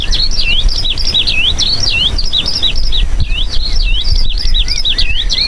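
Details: A Eurasian skylark in Poland, hovering high in the sky, pours out an endless, pauseless stream of quick, high, joyful chirps and rolling warbles, over a low wind rumble.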